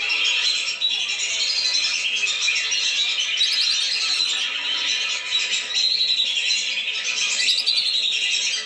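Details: Lesser whistling ducks in a noisy flock chorus intended to bring them down, overlapping shrill whistles and chatter steady throughout, with a few sharp high clicks standing out.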